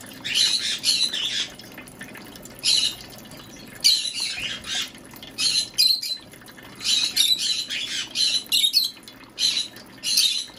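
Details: White-bellied caique kept as a pet in Japan, calling while bathing in a large bath, repeats short, rasping squawks in clusters every second or so, with quiet background between bursts.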